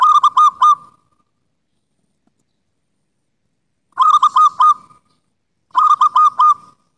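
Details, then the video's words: Zebra dove song from a local wild bird, played to prompt doves that have gone quiet: three short runs of four or five throaty, rolling coos, the first followed by a three-second silence. "SUARA PERKUTUT LOKAL ALAM ASLI"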